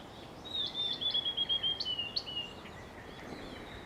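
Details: Nearby blue-and-white flycatcher in song, 2 June 2020: a fast run of high, even whistled notes on nearly one pitch, ending with a couple of sharper upslurred notes, then quieter fading phrases.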